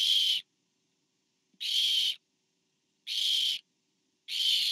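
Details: Harsh hissing screeches from barn owls at a nest cam on 24 September 2015, as a parent delivers to the fourth owlet; four half-second rasps separated by silent gaps of about a second.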